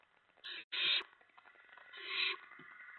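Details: Owlets in a nest during a night feeding around 2 AM on 10 September 2017, as adults deliver a mouse while a rat is already there. Two short harsh hissing bursts come first, then a longer, rising, rasping hiss.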